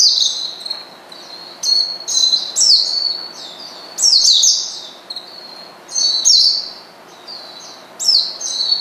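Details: Calling an opponent to rile it, an Oriental white-eye gives bursts of high, sharp, downslurred chirps and twitters, separated by pauses of about a second.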